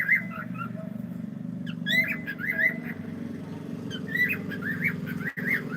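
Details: Cockatiel saying hello with repeated short whistled chirps and rising squeaks in loose bursts, set against a steady low droning rumble and one brief click near the end.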